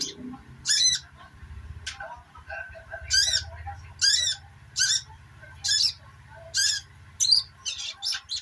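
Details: Sogok ontong twittering for therapy to make silent birds sing: repeated loud high chirp bursts every second or so, ending in quicker clustered notes, with a low humming drone behind.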